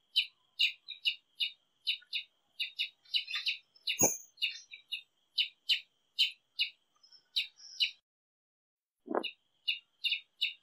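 A Brazilian tanager sings a steady run of short, bright, chirpy notes, about two or three per second. Two sharp knocks break in partway through.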